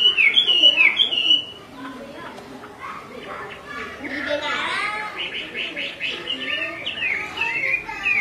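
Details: Repeated calling by a female Chinese hwamei, meant to excite the male, who stays restless; a loud burst of twisting whistles, a softer pause, then a dense run of rapid, clipped chattering notes and swoops.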